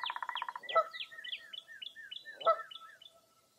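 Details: Early April, fog over Mirror Lake State Park near Baraboo, Wisconsin: a short buzzy pulsed trill, then two sharp honks with a long run of bright, quick descending whistled notes that fade out toward the end.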